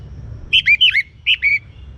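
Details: Young orange-headed thrush singing, meant to spur other birds to sing: short bursts of rich, slurred whistled notes, two quick phrases then a third after a pause, over low background hum.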